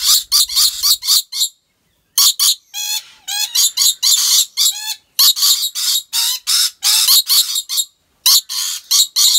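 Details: Rainbow lorikeet kept at a zoo in Aceh Besar, Indonesia, giving volleys of shrill, rasping screeches in quick bursts. A brief pause is followed by a few nasal, ringing harmonic squeals, then more rapid harsh chatter.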